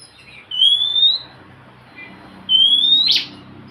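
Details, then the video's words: Oriental magpie-robin song intended to get a reluctant bird singing: two long upward-gliding clear whistles about two seconds apart, the second ending in a short sharp click, over a faint low background hum. "Siulan KACER untuk kacermu yang malas bunyi"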